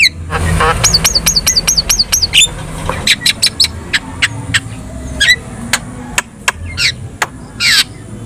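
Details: Javan myna in lively gacor song: a quick series of about eight repeated looping whistles, then scattered sharp clicks and a few wavering whistled notes.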